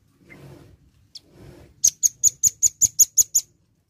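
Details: Red-billed nuthatch (rambatan paruh merah) in full voice: after soft low rustling, a rapid series of about nine sharp, very high, clipped notes delivered evenly over under two seconds.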